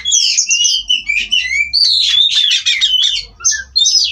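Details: Oriental magpie-robin from a breeding farm in continuous song, with fluid warbled and slurred whistles running almost without pause and a brief quieter break near the end.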